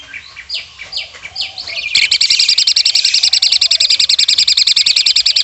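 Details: Asian pied starling delivering its single learned filler, woodpecker-sound mimicry, used as master material for contest birds: a few quick slurred whistles, then a loud, fast, even rattle of sharp pulses, about three and a half per second, running to the end.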